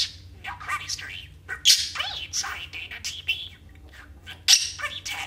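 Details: Talking male pet budgie (parakeet) delivering partial movie and TV quotes plus garbled babble: a fast stream of scratchy, word-like phrases punctuated by sharp high squeaks, over a faint constant low drone.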